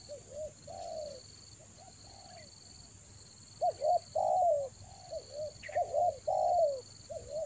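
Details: Spotted dove lure call used for luring birds in the rainy season, Toba: low mellow coos, short looped notes leading into longer downslurred coos in irregular phrases, with a steady high electronic whine behind.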